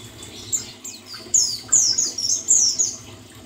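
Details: A white-eye (buxtoni), used as therapy sound to restore its singing, gives a quick run of thin, very high chirps and slurred, falling twitters, densest in the second half, over faint background hiss.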